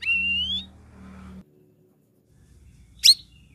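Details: Sooty-headed bulbul song, meant to coax silent cage birds into singing. One long, clear whistle glides slowly upward, then after a quiet gap comes a single sharp, high chip.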